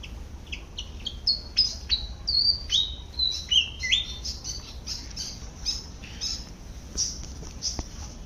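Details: Malaysian pied fantail calling while foraging in a garden: a lively run of short, high, sliding whistled notes stepping downward in pitch, about three per second, with a steady low background hum.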